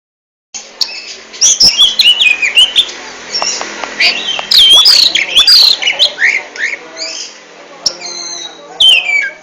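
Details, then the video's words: Oriental magpie-robin singing in the ngentrok style: a busy run of sharp whistled notes, slurred upsweeps and downsweeps, and quick chirps, loud and varied with short pauses, over a faint low background hum. "RAJA NGENTROK!!! Kacer super kicau"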